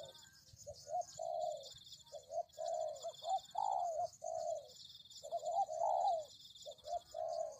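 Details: A spotted dove used as a decoy bird for luring gives soft, hollow coos in rhythmic phrases, each with a higher rising note, while a steady high insect buzz runs behind.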